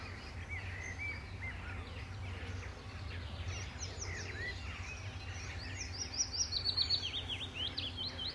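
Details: Male willow warbler singing from treetops near a farm pond on a greenway at Letchworth in June 2014, returning to the same branches in his patch; a soft descending run of high notes late on, over other birds and a low hum.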